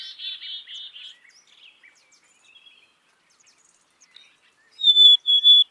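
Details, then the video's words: Black-capped chickadee, a small North American songbird of deciduous and mixed forest: a few buzzy repeated notes open, then after a pause two clear, pure whistled notes given close together, high and steady in pitch. "Black capped Chickadee Song"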